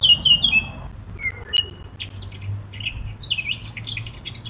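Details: A Eurasian blackcap gives clear whistled notes, a brief pause, then a rapid chattering warble of varied high phrases.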